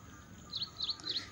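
An ashy prinia gives three short, high chirping notes in quick succession, about one every 0.3 seconds, over a faint background hiss.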